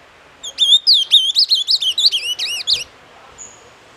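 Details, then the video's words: Doce amargo style song of an ultramarine grosbeak, a rapid run of sliding, looping whistles, some rising and some falling, about two seconds long, then a faint thin whistle after a pause. "AZULÃO DOCE AMARGO"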